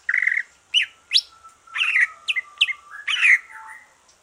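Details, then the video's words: Green leafbird after its moult, singing as a stimulus for other birds: varied loud chirps and sharp upward-swept whistles in uneven bursts, over a faint steady thin tone in the background. "Kicau santai cucak ijo,,rangsangan cucak ijo selesai nyulam"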